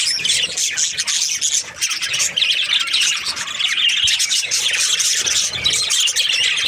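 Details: Budgerigars, breeding pairs of the Australian parrot, chattering together in a dense, continuous high warble of overlapping chirps and squawks, with no pauses or other clear sounds.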